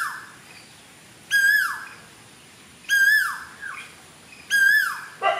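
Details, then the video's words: In Sri Lanka in June 2024, a cuckoo sings, repeating a clear, ringing phrase about every second and a half: a short held note slurring steeply downward, over faint hiss. "Cuckoo singing"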